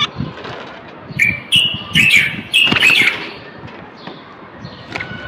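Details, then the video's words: Singing common bulbul, a male, with a run of loud, warbled whistled phrases in the middle, quieter chirps before and after, and a steady low rumble underneath; the song is used to prompt males to sing and ready females for mating. "تغريد البلبل:أجمل وأقوى الأصوات لتحسين آداء البلابل والفراخ القافلة."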